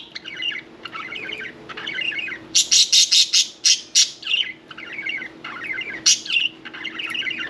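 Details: Pet budgerigars at bath time chattering in soft, rambling warbles broken by a bright burst of rapid, scratchy chirps in the middle, then warbling again; steady low room hum in the background.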